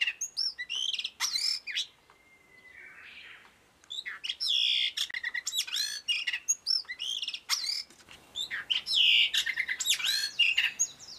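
A blue rock thrush sings a rich, varied string of quick whistled and warbled phrases sweeping up and down, including one long steady whistle, with brief pauses between bursts.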